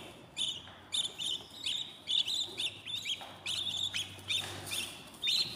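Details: Budgerigar nestlings at day fourteen in a new nest: clustered scratchy high chirps in quick runs, pausing briefly before starting again.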